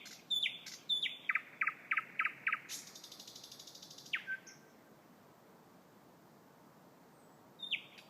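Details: Very loud thrush nightingale song: sharp clicking notes, then a rapid series of deep knocking pulses, a buzzing rattle, and a falling whistle before a pause and a final brief note.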